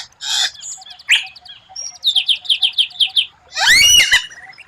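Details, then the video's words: White-rumped shama song, a rare varied phrase used as master song for training: a buzzy burst, a rapid train of short high notes, then a loud sweeping rising-falling flourish. "Masteran murai batu tembakan langka, suara aneh tapi memukau lawan"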